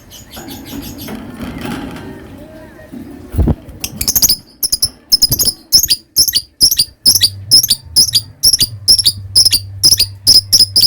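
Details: Caged lovebird giving its long ngekek chatter: after a few seconds of low room noise and a thump, rapid high, harsh, metallic squeaky notes repeat about twice a second and run steadily to the end.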